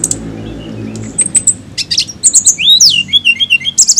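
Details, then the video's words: Flycatcher singing: a low hum at first, then sharp high chirps and a quick run of bright, varied whistled notes, some rising and falling, repeated rapidly toward the end. "TLEDEKAN AUTO BUNYI DENGAR INI"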